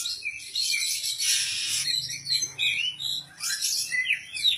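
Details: Oriental magpie-robin, a caged contest bird in Indonesia with rich mimicked song material, singing in energetic ngobra style: dense buzzy, scratchy phrases mixed with short whistled notes, pausing briefly mid-phrase, over a faint low hum.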